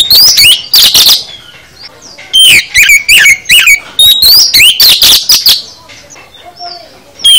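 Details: Oriental magpie-robin (kacer) full song, played to prompt other magpie-robins to answer; loud bursts of sharp whistled and rising notes, rapid chirps and sweeps, broken by short pauses, with a faint quieter whistle in the gaps.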